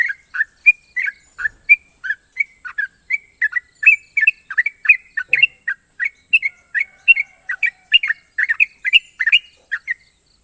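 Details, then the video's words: Sooty-headed bulbul, a national champion bird, sings long, sharp rolling trills in the ropel style: a fast, unbroken run of short, bright, warbled notes for the full ten seconds, over a steady high-pitched hiss. "burung trucukan juara nasional ropel panjang dan tajam"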